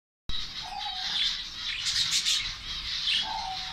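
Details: Caged zebra finch colony in Saudi Arabia, fed an egg food mix, giving dense overlapping high chirps and short nasal calls throughout, with a few lower tonal notes near the start and end.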